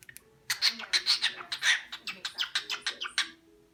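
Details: A pet cockatiel beatboxes with head bobs, giving a rapid, roughly evenly spaced run of sharp, percussive clicks and chirps.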